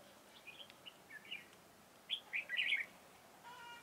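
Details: Decoy red-whiskered bulbul at a trapping site on 4 February 2018: a few soft scattered chirps, then a louder burst of three bright whistled notes near the end, with a faint hum closing the clip.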